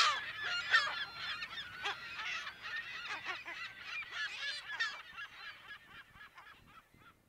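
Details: California gull colony heard in mono from close to mid distance: overlapping rasping cries that start loud and then fade steadily into a thinner, quieter trickle of calls.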